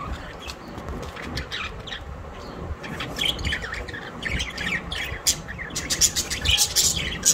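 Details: Several budgerigars kept at home in Larkana, Sindh, recorded September 12, 2023, chattering in quick scratchy chirps and short squawks that grow denser and louder toward the end, over a low background rumble.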